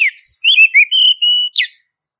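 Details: Female Oriental magpie-robin calling a male: warbled whistles with rising and falling slurs and a steady held note, closing with a short harsh, buzzy note.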